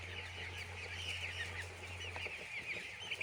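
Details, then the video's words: Young chicks on a poultry farm peep busily in high, slightly falling chirps. A low hum in the background cuts out partway through. "Chicks Enjoy In Poultry Farm"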